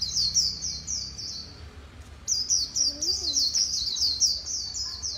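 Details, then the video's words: White-eye singing the líu style, Vietnam: high chattering warble, a short break near two seconds, then a long dense run of sweet slurred notes. A lower swooping note from another bird is heard midway. "KHUYÊN LÍU HAY NHẤT 2019"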